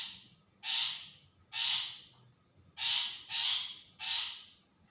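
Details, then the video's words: Long-tailed shrike call used as a lure to provoke other shrikes to answer: five loud, harsh, rasping bursts, each about half a second long, given roughly once a second with short silences between. "pentet suara cendet bahan pancingan cendet dijamin nyaut.."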